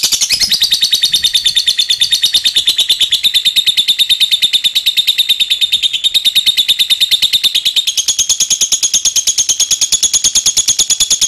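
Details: Lovebird giving a long ngekek trill, used to lure other lovebirds into singing: a very fast, even, unbroken series of high chattering notes, about three per second throughout, steady and loud with a slight rise near the end.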